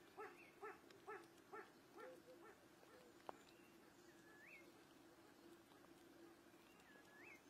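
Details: A Blyth's tragopan in Bhutan gives six short, nasal, barking notes about twice a second, then falls quiet over a steady low drone; another bird adds a few rising whistles.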